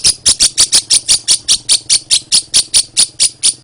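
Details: Lovebird giving a long ngekek chatter, used as a lure and master recording for training songbirds: sharp high chirps repeated steadily about four per second, with a faint low hum underneath.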